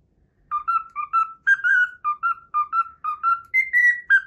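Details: A pet cockatiel renders the Pythagora Switch theme it learned, in crisp whistled notes, hopping up and down in a steady, jaunty rhythm and ending on a higher sustained phrase.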